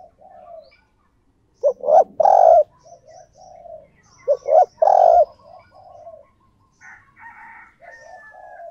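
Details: Decoy spotted dove calls to lure other doves. Two phrases, about three seconds apart, each pair a rising short note with a loud, rich coo and softer trailing coos, with faint high chirps from other birds.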